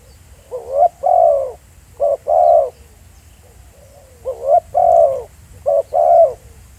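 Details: Spotted dove recorded live outdoors, repeating its coo in pairs. Each unit is a brief clipped note followed by a sustained descending coo. Two such doubled phrases are separated by a short lull.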